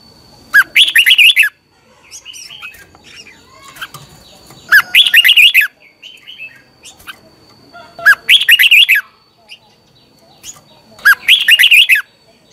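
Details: Red-whiskered bulbul singing a morning training song to push other bulbuls to sing, with four bursts of fast, warbled notes spaced about three to four seconds apart and faint chirps between them.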